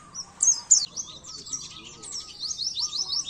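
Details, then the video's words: Oriental white-eye singing, a recording meant to train caged birds: two loud sharp opening notes, then an unbroken stream of high, scratchy, rapidly varied twitters with a faint lower hum beneath. "masteran burung pleci"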